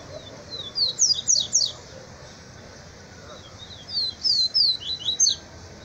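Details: Double-collared seedeater (papa-capim) in a singing duel, giving two bursts of fast, high, sharp down-slurred whistled notes, about five to six per burst, separated by a short pause.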